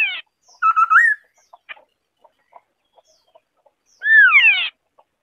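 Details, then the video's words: White-browed scimitar babbler: a brief hooked, upward-curling note with a few soft ticks, then, after a pause, one strong descending whistled phrase. "Tiếng chim Họa mi đất mày trắng ✅White-browed Scimitar-Babbler (Pomatorhinus schisticeps) singing"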